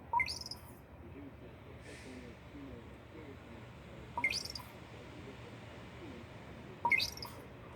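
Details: Pet raven gives three short, sharp, squeaky calls spaced a few seconds apart, begging to share the owner's lunch, as it does daily, over a quiet room murmur.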